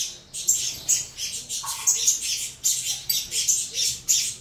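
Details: Captive saffron finch nestlings of Venezuela CMA and CVK 103 lineage beg at feeding time: scratchy, high hissing rasps in uneven bursts, with a faint lower tone briefly heard.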